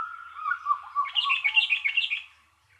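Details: Bulbul chirping in a lively run of short, bright, warbled notes, a lower whistled phrase at first rising into a dense burst of higher chirps, then fading out.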